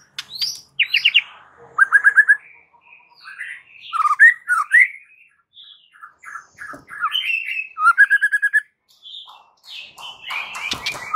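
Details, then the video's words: Energetic white-rumped shama song for provoking rival males, packed with varied whistles, quick trilled bursts, buzzy notes and chattering phrases with brief gaps, mostly mid-pitched. "MURAI AKAN langsung TErpancing EMOSI dan NARUNG MENDENGAR suara MURAI GACOR ini"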